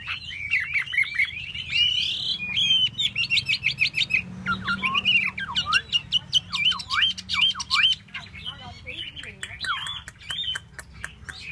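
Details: Chinese hwamei dancing with its tail fanned, singing rapid, varied whistled phrases mixed with sharp clicking notes, in short bursts of rising and falling slurs.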